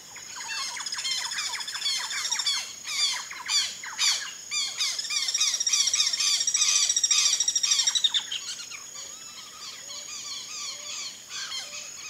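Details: Turquoise-fronted (Blue-fronted) amazons, Amazona aestiva, in the Pantanal give harsh squawking calls in quick, ragged bursts that build to a dense chatter and then ease off, with a high steady insect whine behind.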